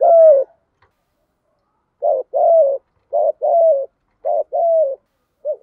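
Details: Spotted dove giving thúc gù cooing: a single low, hollow coo, then after a pause three paired coo phrases roughly a second apart. Each phrase is a short note followed by a longer, level coo. The background is quiet.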